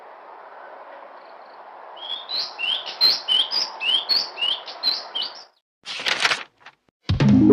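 A common hill myna gives a run of loud, clear rising whistles, about three per second, over a low steady hum, ending in brief clatters.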